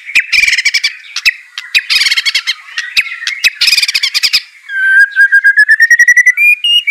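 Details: White-rumped shama singing to prompt a reluctant bird: three bursts of harsh rapid chatter between whistled notes, followed by a long slowly rising series of clear, evenly repeated whistles.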